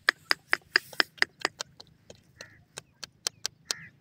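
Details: Grey francolin, called Dakhni Teetar, with chicks nearby: a series of sharp, clipped notes repeated about every quarter second, at first steady and then more spaced and irregular, over a low background hum.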